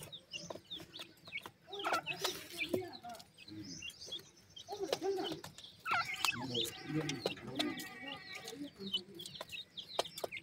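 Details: Pheasant chicks feeding: thin, high peeps and short chirps repeat quickly throughout, overlapping from several birds, with lower murmuring sounds and sharp clicks underneath.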